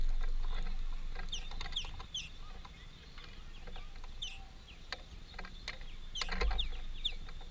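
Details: High, clipped chirps come in small clusters from a greenfinch family at a meal at a workplace, with faint clicks and a steady low mechanical hum underneath.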